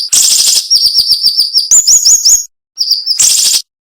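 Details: Cinnamon-bellied flowerpecker song for training cage birds, described as sharp and tight. A buzzy burst leads into rapid high chips and a few higher upslurred notes, then a short pause and another buzz.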